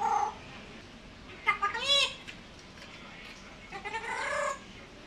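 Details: Talking African grey parrot, dancing and asking for food. Speech-like utterances with sweeping, arching harmonic tones are followed by a longer wavering phrase, with quiet indoor background between the sounds.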